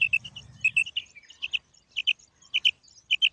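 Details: Female quail giving clipped doubled notes at irregular intervals, with a brief low hum at the start.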